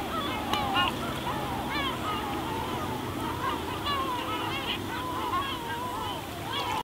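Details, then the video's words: Gulls along the pebble beach at Spiaggia Paolina, Elba, Italy, give thin wavering cries and short barks, moderately distant, within a constant murmur of breaking waves. "Gabbiani suono rilassante"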